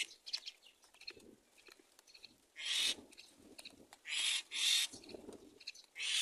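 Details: Myna nestlings waiting for the mother to bring food give loud, breathy, hissing rasps in separate bursts, with faint twittering and small chirps between them.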